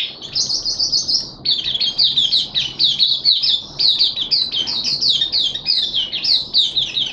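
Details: Mata puteh, the Oriental white-eye, from Malaysia, kept as a hobby bird and singing in happy open display, 25 February 2023: sustained high, lively twittering made of rapid repeated chirps.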